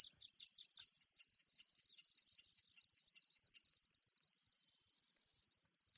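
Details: Grasshopper warbler (Locustella) reeling without a break: a sustained, shrill, rapid trill with a slightly uneven start, then steady and loud to the end.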